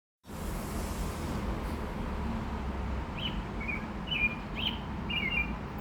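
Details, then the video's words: Oriole singing outdoors: a few short, clear whistled notes, some with quick up-and-down inflections, in the latter half, over a steady low rumble of background noise. "Oriole Singing"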